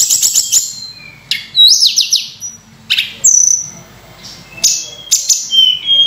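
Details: Sunda robin singing a lavish, varied phrase used to lure and train other birds: a fast opening chatter, then spaced, loud, bright upslurred whistles and sharp notes separated by short pauses.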